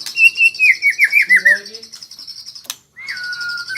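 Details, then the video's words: White-rumped shama learning rolling trills (ngerol): a loud run of wavering, descending whistles over a high buzzing background, a brief pause, then one long steady whistled note. "Murai Super Belajar Kicau"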